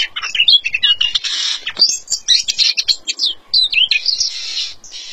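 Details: Featherless Oriental magpie-robin singing vigorously: dense bursts of high chirps, buzzy rasping phrases and quick whistled slides, tumbling almost without pause, with faint soft clicks beneath.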